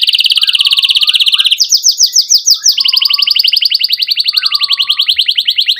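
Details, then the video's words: Energetic singing canary, presented as a stimulus for young birds learning song and for silent canaries. A dense high roll breaks into slower, sweeping slurred notes, then resumes as a steady rapid trill. "Kenari Gacor Cuit Cuit EMOSI"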